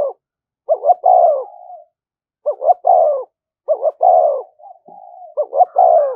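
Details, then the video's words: Spotted dove performing thúc gù coos meant to rouse decoy birds: four phrases, each a quick double note and a drawn-out falling coo, some trailing into soft low purring, spaced about a second apart. "tiếng cu gáy/ cu gáy thúc gù bài bản dùng kích bổi hiệu quả"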